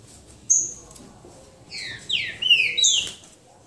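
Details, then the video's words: Green-winged saltator of the boca mole song style in a singing duel, João Monlevade: a loud burst of overlapping whistled, slurred phrases sweeping down and up in quick succession, preceded by one sharp high note, over low background hiss. "Trinca ferro boca mole disputa"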